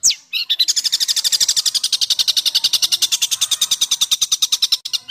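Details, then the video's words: Songbird in harsh 'besetan kasar' style, a training recording for caged and contest birds: one high sweeping note, then a long, very regular stream of rapid raspy pulses, about nine per second, unbroken to the end. "MASTERAN BESETAN KASAR|| Bringas Kasar suara BESETAN kasar"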